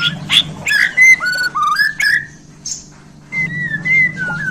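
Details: Murai batu of the Borneo type, recently acquired, sings sharp chips and a few clear level and gently wavering whistles separated by short pauses, with a soft low hum in the background.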